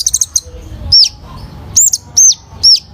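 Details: Kolibri Ninja sunbird in full song as a bird-training recording: a few fast high chips, then three or four separate arched, downslurred piercing whistles spaced under half a second apart.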